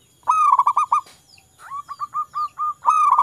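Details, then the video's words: Local Indonesian zebra dove in full song: a quick stuttering cluster of bright cooing notes, a pause, then a slower string of separate soft rising coos, and another fast burst at the end. "Perkutut lokal gacor obatnya perkutut bisu malas bunyi"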